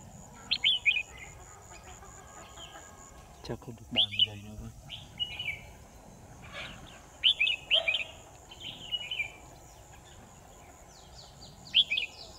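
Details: Red-whiskered bulbul kept as a trapping decoy, 10 December 2018: repeated short bursts of sharp, tumbling whistled notes spaced a few seconds apart, with a clattering noise near the four-second mark and steady background hiss.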